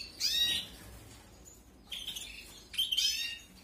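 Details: Canary chicks begging during feeding, 2021 captive breeding: a loud harsh chirping burst at the start, then a quiet pause, then two shorter high scratchy bursts.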